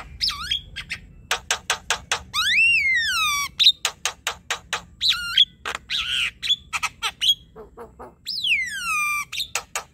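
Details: Jalak kebo, the Javan myna, in full ocehan chatter. Sharp clicks and rattles mix with long, descending, harmonic-rich whistles and quick looping notes across ten seconds.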